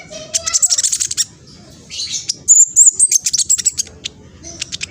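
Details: Spotted juvenile black sunbird in East Java, Indonesia, giving a rapid, chattering lure song meant to make other sunbirds answer: dense bursts of very high ticking notes and thin whistled slurs, with brief gaps between bursts.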